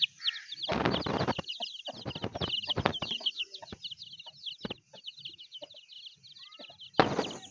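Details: Angry hen guarding her chicks as someone tries to catch them; a dense stream of high, rapid chick peeps runs throughout, broken by loud harsh clucking bursts and scuffling wing noise near the start and end.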